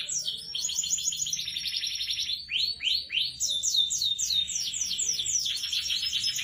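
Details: F1 SF canary in full, extended song: fast rattling trills give way to a few sweeping upward whistled notes, then more dense high buzzy rolls continuing without a break.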